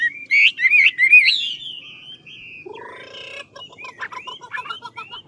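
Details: Big 'ngũ trường' Chinese hwamei from Lạng Sơn in song training: loud twisting whistled notes, a long sliding whistle, then a harsh buzzy phrase followed by quieter rising whistles, over a faint low hum.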